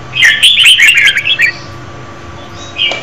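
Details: Female red-whiskered bulbul singing to stimulate a male: a quick, bright run of warbled, chattering notes lasting about a second and a half, then a pause and a single short note near the end.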